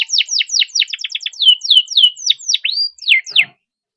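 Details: Owner-raised canary in long, tightly packed song meant as a lure to get stalled canaries singing: a fast series of falling whistled slurs, short clipped notes, one rising arched whistle, ending abruptly in silence.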